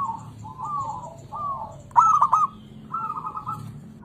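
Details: Local zebra dove song used to prompt lazy doves to sing: soft warbling coos, then a louder burst of sharp stuttered notes with a rolling coo, over a low background hum.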